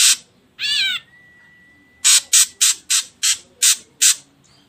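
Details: Ashy drongo sounds played as a lure to get other birds singing: a nasal, harmonic-rich wavering squawk, then a run of seven short harsh rasping notes repeated about every third of a second.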